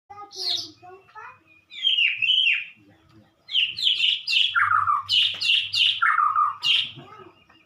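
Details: White-rumped shama singing during morning sunning: loud varied phrases of rich whistles and slurred notes, fast bursts around 2 to 4k repeated in quick succession, with a low hum underneath.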